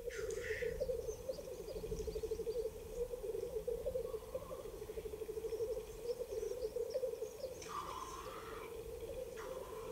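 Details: Black grouse displaying at a spring lek in April 2020 on the Ketmen ridge in Kazakhstan, recorded by iPhone. A distant, continuous low bubbling warble runs throughout, with occasional faint hissing notes over background noise.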